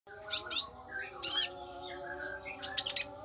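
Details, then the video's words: Konin singing a fierce burst song: sharp, high chirped notes in short clusters, with brief pauses and one twittering phrase, over a faint steady low tonal hum. "tembakan konin sadis"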